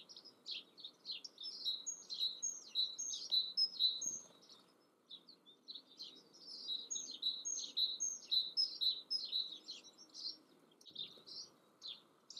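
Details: Yellowhammer in the Eifel, Germany, singing bright, high chirping notes rattled off in quick runs. Phrases last about four seconds, with short pauses between them, over a steady low rural hum.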